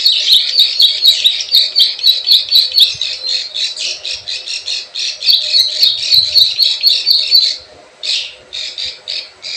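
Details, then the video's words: Plain prinia call used as a bird lure: fast rasping buzzy pulses with high clicks for about seven seconds, a brief pause, then a few more scratchy bursts. "SUARA PIKAT PRENJAK SAWAH_KLIK KLIK_CIWAH TERBUKTI AMPUH"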